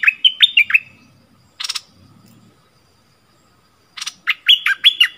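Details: Bulbul kept as a caged decoy sings toward wild rivals, 28 February 2021. Rolling, slurred whistles in fast clusters open and close the recording, separated by two rasping, buzzy bursts.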